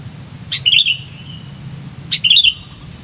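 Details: Sooty-headed bulbul kept as a trapping decoy, described as chatty, lively and vocal: two short bubbly phrases about a second and a half apart, a sharp upward note then warbled mid-high chirps, over a faint low hum.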